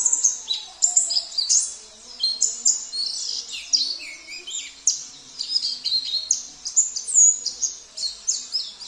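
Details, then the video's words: Oriental white-eye of the Sambas type in full song, its repertoire filled with canary, cililin, kapas tembak and jenggot phrases: a continuous, very high, fast chattering warble of short sweeping notes, with little background. "Terapi Pleci - Isian Mewah ( KENARI , CILILIN , KAPAS TEMBAK , JENGGOT )"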